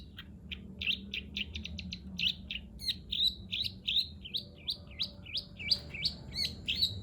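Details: Long-tailed shrike singing in a 'greja nyeret' style: a fast run of short chirps followed by repeated sweeping, whistled notes, steady and lively throughout, with low background hum.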